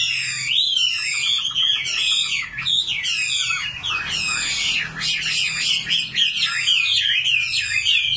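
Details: Common nightingale singing: a dense, continuous warbling run of rapid, wavering high notes with bright buzzy overtones, rising and falling without pause through the whole stretch.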